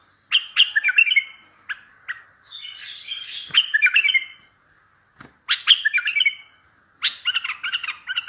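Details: Bulbul song used in trapping to make other bulbuls reply: varied short phrases of bright whistled notes and chirps, with a softer buzzy passage and a couple of faint knocks.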